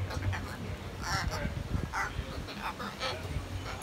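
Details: Samson, a hyacinth macaw at San Diego Zoo Safari Park, 21 February 2021, talking: a few short, speech-like phrases in a hoarse, throaty voice, spaced about a second apart over low background murmur.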